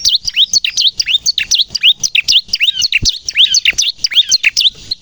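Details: Bar-winged prinia in lively, rapid-fire song used to lure wild birds and to prompt young captive birds to sing: a fast, uneven stream of sharp, high, sweeping chirps, several per second, with no other sounds.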